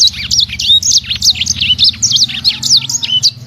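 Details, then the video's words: Captive sanger, a small imported bird, delivering a fast, tightly packed run of shrill chirps, slurred whistles and buzzy trills, one note hard on the next, with a low mechanical hum beneath. "SANGER SUPER GACOR"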